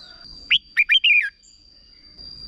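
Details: A single brisk red-whiskered bulbul phrase of four or five clear, slurred whistles, part of a short 'berb' style song for young birds to learn, over a constant high whine.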